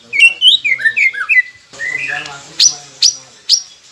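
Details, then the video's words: Training recording of white-rumped shama song meant to prompt silent caged birds to sing: a run of quick falling whistles, then a longer rising whistle and three sharp, high, evenly spaced notes. "Murai Pendiam Cepet Buka Suara dengan masteran ini | shama bird"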